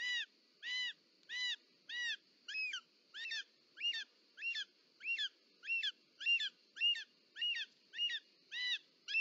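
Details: Short-toed snake eagle calling at the nest as the female delivers a snake, Parc Natural dels Ports, Catalonia, 18 July 2024. A long, steady series of about sixteen arched, harmonic notes, slightly quickening, over a constant high hum.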